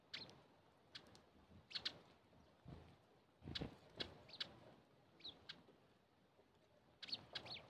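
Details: A male russet sparrow gives short, bright chirps at uneven intervals, sometimes in quick pairs, with a few low thumps in the background.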